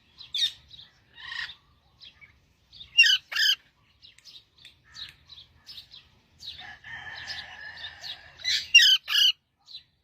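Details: A parrot singing in a string of short, harsh, scratchy notes and chattering bursts, with a sustained buzzy warble in the second half and louder paired squawks near the end.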